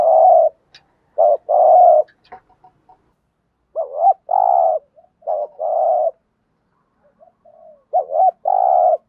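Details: Caged decoy spotted dove giving an urging coo, used to lure wild doves. Three phrases, each a quick double note followed by a long, buzzy, throaty coo, spaced a few seconds apart.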